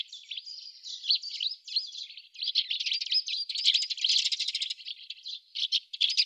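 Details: Eurasian tree sparrows at an artificial nest box in Budapest on 28 October 2010 keep up a busy stream of high chirps and twittering notes with harsher rattling bursts, several birds calling at once.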